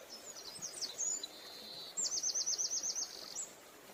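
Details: Green-headed tanager in Bogor gives very high, thin, sibilant notes, then a quick trill of about nine sharp, rippling notes over a steady background hiss.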